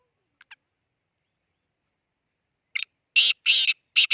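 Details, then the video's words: Black francolin from Khushab, Pakistan: two faint short notes, a stuttering rasp, then three loud harsh buzzy bursts, the last cut off at the end, against a silent background. "kala teeter ki awaz"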